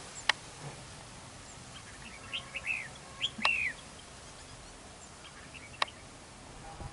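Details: Red-whiskered bulbul at a fight trap, facing a decoy in a territorial dispute; scattered short warbled whistles with one louder, looping phrase near the middle, broken by sharp clicks and light rustling.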